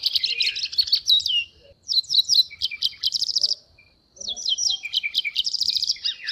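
A White-browed Wagtail gives three bright bursts of rapid, varied chirps and whistled notes, high-pitched, with brief pauses between bursts.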